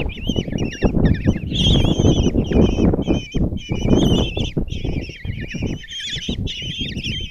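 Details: Begging common kestrel chicks at a Hungarian nest box in Tiszalök, June 26, as the mother delivers breakfast to five young; harsh trembling squeals in bursts, several overlapping, with strong low thuds and shuffling throughout.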